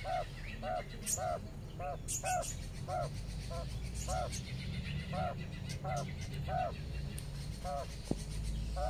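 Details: Mother quail out grazing in sunshine with twelve baby chicks, calling them to follow her: steady run of short arched notes, two to three per second, over low background rumble and a few faint higher chirps.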